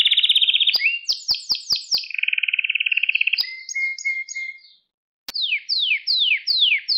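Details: Domestic canary song for training a young bird: a rolling buzzy tour, sharp rapid downslurred notes, a lower dense trill, soft whistled phrases, a brief silence, then loud sweeping notes repeated about twice a second.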